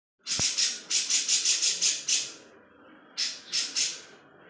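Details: Grey-cheeked bulbul (Alophoixus bres) sings, used as a tutor recording for contest birds: a fast run of about eight harsh, hissing notes, a one-second pause, then three more.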